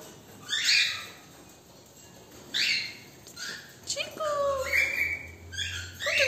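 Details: Pet cockatiel calling while playing a woodpecker game with its owner: short, harsh, buzzy chirps in separate bursts, with a lower, falling whistled tone and some human voice between them.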